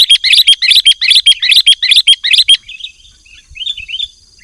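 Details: Sooty-headed bulbul singing actively for a tutor recording: a phrase of paired bright chirps repeated about seven times in quick rhythm, then softer, lower twitters trailing off.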